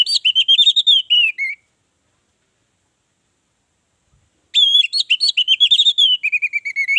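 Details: Orange-headed thrush singing, a lure meant to prompt other birds to sing: bright, sweet warbled phrases of quick varied whistles, one burst of about a second and a half, a long silence, then a longer run of phrases.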